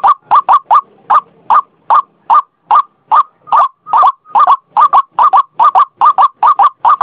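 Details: Lure call of the white-breasted waterhen, called ruak-ruak: a brisk, regular series of harsh croaks, single and doubled, running for seven seconds.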